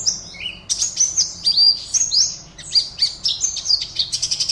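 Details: Contest Oriental white-eye, entry 52 online, caged in Pontianak, West Kalimantan. After a short lower note it launches into bright, high chattering chirps, ending in a rapid stutter of clipped notes.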